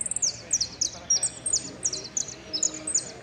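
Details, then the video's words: Saffron finch (jilguero) singing in the "El Cristalino" style, with prio, golpe and pitadas phrases. Sharp, high, slurred chirps repeat steadily about three times a second over a faint low background murmur. "JILGUERO AUDIO"EL CRISTALINO" ( prio,golpe y pitadas)"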